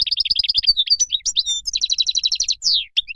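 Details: Moroccan goldfinch singing a fast, continuous high warble of twittering notes, with buzzy rapid trills near the middle and end and a few downward-sliding whistles in between.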